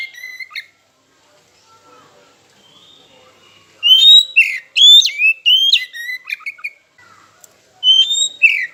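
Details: Oriental magpie-robin lure song for provoking rivals to sing: a burst of rapid whistled notes that slide down and leap up, then a short final phrase after a pause.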